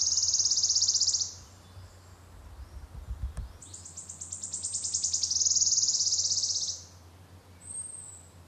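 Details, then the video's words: Wood warbler, described as the rarest of three Phylloscopus warblers in the UK, singing: a high shimmering trill ends, then ticking notes accelerate into a long silvery shivering trill lasting about four seconds, followed by a short thin note, over a steady low hum. "Wood Warbler"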